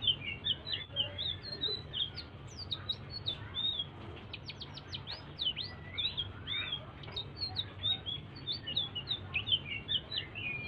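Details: Soft, persistent song of a blue-throated bee-eater, used to stimulate other birds into song; a string of thin high chirps, twisting whistled slurs and clusters of rapid upward flicks, continuous for the whole stretch over a faint low hum.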